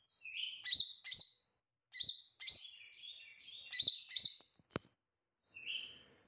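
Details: Lesser green leafbird (cucak ijo mini) in active, melodious song: sharp high chirps in pairs, each sliding down, three bursts about a second apart, with softer trilling between, a single click, then a quiet closing note.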